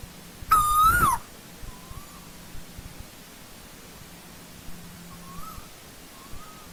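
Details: Single loud whistled note of an Asian koel in old-growth forest, steady then rising and falling away. Fainter, more distant notes follow at intervals over a low background hum.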